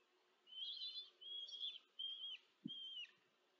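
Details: Common kestrel nestlings, four of them, being fed by the female in Tiszanagyfalu, Hungary, 14 July 2023; four piercing, wavering calls about half a second long in quick succession, one low thud in between.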